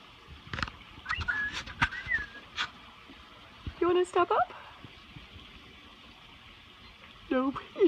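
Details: A happy pet parrot on its first visit to a friend's aviary, fluffing its face, chatters speech-like, saying "pretty bird", with whistled rising notes in loud bursts as a person talks softly to it between them.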